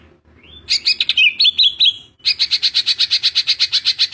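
A greater green leafbird gives a rising whistle and a few varied chattering phrases, then a fast burst of about seventeen sharp, identical notes, roughly eight a second.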